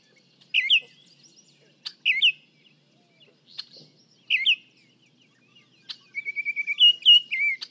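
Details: Baltimore Oriole recorded from 55 feet away with a microphone for comparison: short whistled, slurred notes repeated in bursts about every one and a half seconds, ending in a quicker run of clear whistled notes.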